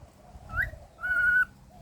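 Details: Pet cockatiel whistling while its owner talks to it: a short rising whistled note, then a longer steady clear whistle held about half a second.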